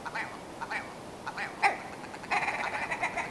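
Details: Willow ptarmigan: several spaced, throaty clucks, one louder and sharper, then a fast rattling burst of rapid nasal notes that runs to the end.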